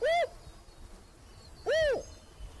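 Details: Territorial spotted owl in Oregon answering a surveyor's imitated calls: two short, arched hoots, rising then falling, about one and a half seconds apart, over a faint steady hiss.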